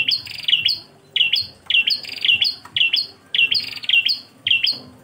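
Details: Bar-winged prinia master song: high, sharp chirping notes in quick pairs and triplets, repeated almost twice a second, over a faint low hum.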